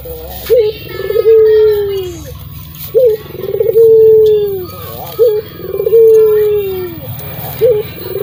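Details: Local Indonesian Barbary dove in full song, suited as a lure to get silent doves singing: deep, rich coos, each a short rising note followed by a long, slowly falling drawn-out coo, repeated about every two and a half seconds.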